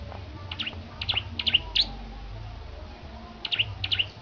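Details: Bar-winged prinia from Petarukan in active song during preparation for a competition: bright, clipped chirps grouped in bursts of about four notes, a brief pause, then two more chirps, over a faint low hum.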